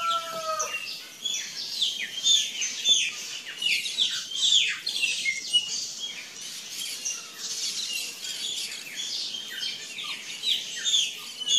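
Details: Wild curl-crested jays in Brazil giving a busy run of sharp, high, chirping calls that overlap and follow each other quickly, with a few lower whistled notes at the start.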